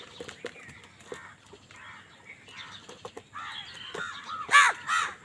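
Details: Crows fighting for food: soft clicks and scattered short calls at first, then a burst of loud, harsh, overlapping caws rising to a raucous peak in the last two seconds.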